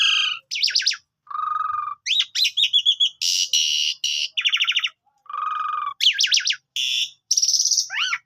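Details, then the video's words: Asian pied starling giving its melodious chattering 'gacor' song, a varied mix of rapid rattling trills, flat buzzy low notes, bright quick whistles and harsh broadband bursts with short pauses between phrases. "Suara Ocehan Merdu Jalak Suren Gacor"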